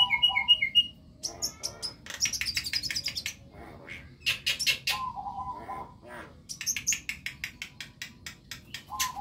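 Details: Practice song of a young white-eyed Javan myna: bright repeated whistles, bursts of buzzy scratchy chatter, a mid-pitched warbled phrase, then a long rapid series of harsh rasping notes, with further whistles at the end.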